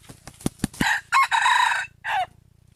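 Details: Sharp clicking knocks come first, then a wild junglefowl gives a loud, harsh, multi-part crow that ends in a short falling note, over a faint low hum.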